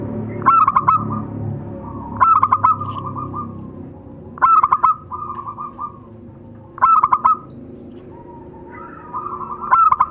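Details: Male and female local zebra doves singing: short phrases of stuttering notes that slide into a drawn coo, repeated roughly every two seconds over a low background rumble.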